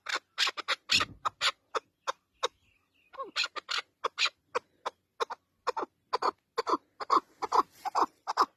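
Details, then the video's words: Partridge calling in quick, uneven bursts of short, harsh notes, some clipped and some squawky, with a brief pause in the middle before the rapid clucking resumes. "Cutest Partridge bird"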